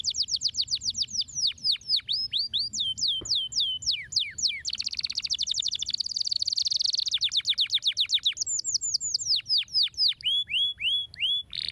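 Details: Canary song played to stimulate silent canaries to sing: rapid repeated downslurred whistles, then a fast buzzy trill, then more falling whistles and short clipped notes, all high-pitched and clear over a faint low hum.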